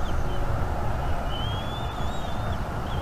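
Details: Nestling bald eagle chirping for food while its father brings fish, North East Florida nest cam, 17 March 2021. One long, thin, level whistle with slight wavering stands above heavy wind noise.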